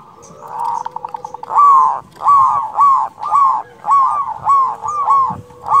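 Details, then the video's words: Local zebra dove singing vigorously with a big voice, used to call and provoke rivals; a quick stuttering run opens, then loud arched cooing notes repeat almost every half second beneath a long steady hum. "Perkutut lokal gacor Suara BESAR ampuh memanggil lawan BUNYI EMOSI manggung"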